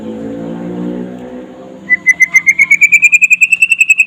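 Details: A white-rumped shama in trotol-style daytime song, used as a master recording to make other shamas sing. After low background rumble, a fast, even string of bright whistled notes begins, rising gently in pitch.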